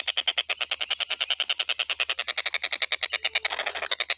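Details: Rapid, unbroken series of rough, grating notes from a stork-billed kingfisher, recorded for training other songbirds, repeated at about three per second and slightly blurred toward the end.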